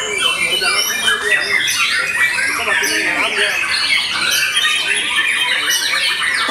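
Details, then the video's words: White-rumped shama in post-moult fierce song: busy overlapping high whistles and twittering runs, with fainter low rounded sounds running underneath. "Murai Batu VOKALIS Pasca Mabung Semakin "WOW""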